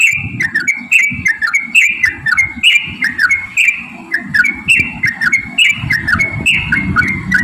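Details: Yellow-vented bulbul song meant to provoke other bulbuls into singing. Repeated bubbly whistled phrases, each note dipping sharply, about once a second, over low rumbling noise.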